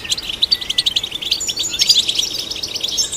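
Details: Goldfinch song, European, intended to stimulate goldfinches: quick bursts of high chirps and tinkles, a drawn-out thin whistle early on and a rising slur near the middle.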